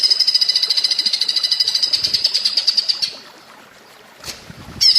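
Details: Greater green leafbird giving flameback-like rattling notes for a training tape: a fast, even series of high, sharp pulses for three seconds, a pause, then a brief louder burst.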